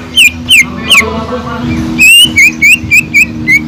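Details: A greater green leafbird giving kingfisher-like phrases in its song, used to provoke other leafbirds: three loud falling whistles, a pause, then a long flat whistle and a rapid string of short rising notes.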